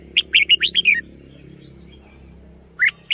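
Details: Red-whiskered bulbul decoy song with a double: a rapid string of six bright, bouncing whistles falling slightly at the end, then a pause and a fresh phrase beginning, over soft low humming.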